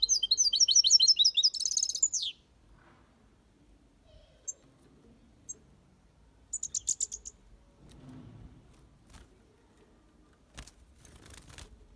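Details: Caged European goldfinch in the 'copia Malaga' style: a fast twittering phrase with a buzzy ending, then quiet with a brief later trill and scattered clicks.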